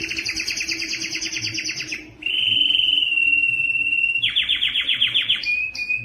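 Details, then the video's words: Canary male song played to stimulate other males to sing and females to breed, and to tutor young birds: rapid trilled rolls, a long steady whistled tone, then another fast descending-pitch trill and short whistled notes. "صوت الكناري لتحفيز الذكر على التغريد"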